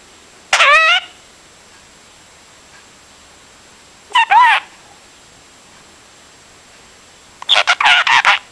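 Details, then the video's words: Pet budgerigar chattering, said to repeat like a broken record: three separate bursts of buzzy, warbling notes a few seconds apart, the last a rapid stuttering run of short chirps, over a quiet indoor background. "Broken Record Birdy"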